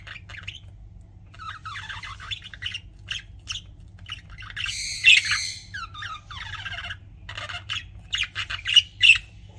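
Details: Pet budgies chirping: a busy stream of high, scratchy warbles, squawks and short chirps from several birds, with a louder harsh burst midway and a steady low hum underneath.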